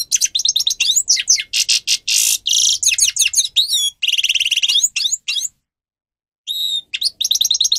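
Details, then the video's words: Grey-crowned goldfinch singing, a recording used to train captive birds: long bursts of tinkling twitters, buzzy trills and slurred whistles, broken by a silent gap of about a second before the rapid twittering resumes. "(Carduelis caniceps) Goldfinch song Best for training"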